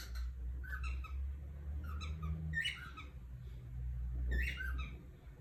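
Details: Cockatiel giving bursts of short, squeaky, warbling chirps in quick clusters with brief pauses between them, against a constant low hum.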